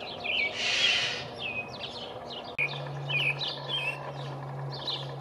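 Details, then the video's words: Male American robin singing from the top of a pine tree on 5/6/19, announcing his territory: clear whistled caroling phrases, short and warbled, after a brief loud broadband burst, with a steady low hum in the background. "American Robin singing"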